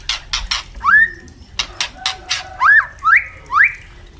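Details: Spotted (trotol) white-rumped shama calling: loud broadband clicking notes followed by a series of rising, slurred whistles repeated about every half second.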